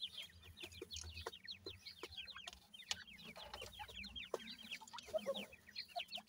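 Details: Many grey francolin chicks, of the dakhni type, peeping during feeding: fast runs of thin, high, falling chirps repeated in quick overlapping series, fairly soft, with a low hum underneath.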